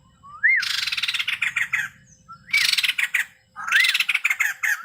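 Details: Male white-crested laughingthrush in full song, each phrase opening with a short upswept whistle that bursts into a long, loud, rattling broadband chatter; three phrases with short gaps between them.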